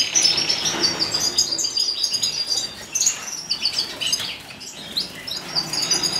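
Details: Wild Atlantic canary recorded in 2015, delivering a continuous, rapid stream of high twittering notes, trills and short whistled phrases that runs without pause for the whole stretch, loudness rising and falling slightly between phrases.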